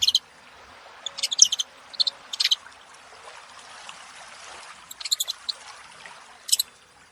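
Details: Saffron finches, more than one bird: scattered clusters of high, sharp chirping notes and brief trills arriving every second or so, with quieter gaps and a soft hiss in the background.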